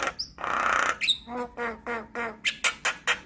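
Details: Javan myna song as a trigger and tutor recording for mynas: a drawn-out raspy hiss, a squeaky note, several short nasal calls, then crisp clicking chips.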